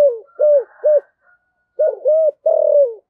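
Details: Spotted dove in the 'thổ sấm' voice style, used to urge other doves to coo and call; two phrases of deep, hollow, slightly downslurred coos, three notes each, split by a brief silence, with no other sounds.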